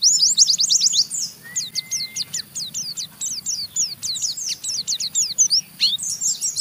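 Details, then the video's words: An Oriental white-eye's harsh 'ngeriwik' chattering song, meant to get other white-eyes singing: long runs of high, scratchy downslurred chips in quick succession, with a short flat tone near the start. "Burung Pleci Ngeriwik Gacor merangsang Pleci Bahan ikut Ngeriwik Sampai Buka paruh"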